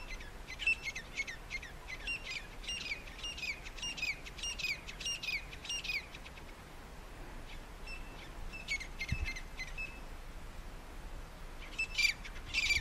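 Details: Grey francolins in a territorial fight between a resident and a possible intruder, calling for help as others rush in and join two groups; rapid series of harsh, clicking high notes in bursts, a pause near eight seconds, then renewed calling.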